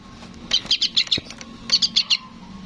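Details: Young sooty-headed bulbul chick calling for its parent: two quick bursts of about five sharp, high chirps, each burst under half a second, separated by a short pause, over a faint low hum.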